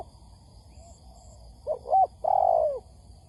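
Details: Single phrase of a spotted dove used as a trapping lure: two quick low coos followed by a drawn-out, gently descending coo, over a quiet background.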